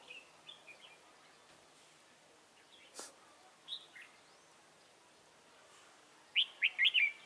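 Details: Decoy red-whiskered bulbul on a swaying trap perch, recorded 22 October 2018, calling to draw wild birds into the trap: scattered soft chirps, then a loud run of four clear warbled notes at the end.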